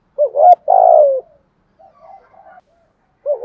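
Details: Decoy spotted dove, one of a male-and-female pair, cooing to excite wild doves: a quick doubled hoot runs into a long buzzy falling coo, then soft murmured notes and the start of another phrase.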